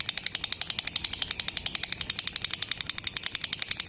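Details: Lovebird ngekek chatter recorded for tutoring other lovebirds: a rapid, even train of shrill clicking chirps, almost ratchet-like, running without pause through the whole stretch.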